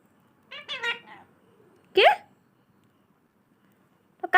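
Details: Talking parrot indoors gives a few rapid, speech-like syllables, then after a pause a sharp rising squeak, and a final brief high squawk at the end.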